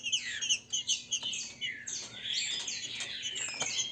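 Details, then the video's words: A captive-bred green-winged saltator in a warm-up song duel between "grego mole" and "boiadeiro" song styles sings loud, clear, rising-and-falling whistled phrases with sharp chips, repeated rapidly; a second bird may overlap. "Disputa para ESQUENTAR TRINCA FERRO"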